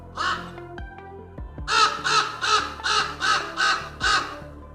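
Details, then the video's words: On a little-known Fuerteventura trail, a raven warns other birds of a walker nearby with one rasping caw, then a run of six rapid, grating caws, with music playing underneath. "jakiegoś kruka słychać, który zawiadamia inne ptaki o mojej obecności."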